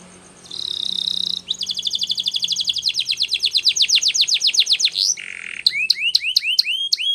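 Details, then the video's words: Canary sings a training song that opens with a steady buzzy tone, moves into a fast rattling trill of rising sweeps, then a low buzz, and ends with separate upward whistled notes. "Canary's Most powerfull Song For Training"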